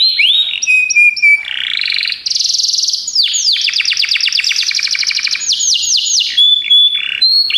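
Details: Training song of a Belgian canary: whistled and slurred opening notes, a dense high trill, then a long series of rapid downward sweeps and a clear sustained whistle near the end.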